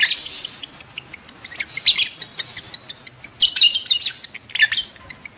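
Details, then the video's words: Calls of lovebirds in breeding condition, played to trigger mating in adult lovebirds: intermittent loud, shrill squawking chirps, three main bursts, with thin high ticks and quiet squeaks between them. "SUARA LOVEBIRD KAWIN"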